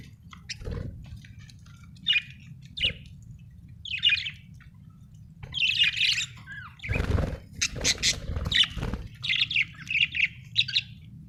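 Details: Happy budgerigar chirping, with bursts of scratchy warbling and short squawky notes that grow busier toward the end, plus some rustling or flapping.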